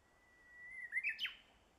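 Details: Japanese bush warbler singing in a village on the Boso Peninsula, Japan, on 10 April 2013: one long, steady whistled note that slides slightly upward, then a quick burst of two or three sharp, rising flourished notes. The background is quiet.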